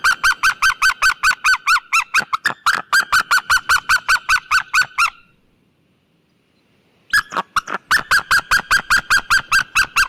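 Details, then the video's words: White-tailed eagle, at close range: loud, harsh yelping notes repeated rapidly in a steady series, broken by a silent gap of about two seconds before the yelping starts again. "Sea white tailed eagle sound effect and call!"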